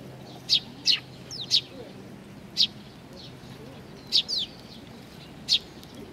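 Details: Young sparrows gathering at food at Tenmangu shrine, Nakanoshima, on 25 May 2020. Short, high, sharp chirps come singly or in quick pairs, about eight in six seconds, over a faint low hum.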